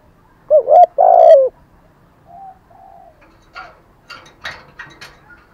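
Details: Decoy spotted dove in thổ style, giving its calling coo: a loud hollow two-part phrase, then faint soft coos and a few light clicks and taps.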